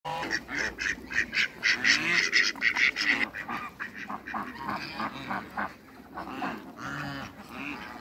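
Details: Mallard, runner and Pekin ducks on a farm meeting other waterbirds: a rapid series of harsh, nasal quacks from several birds, about four per second early on, then looser, softer calling overlapping.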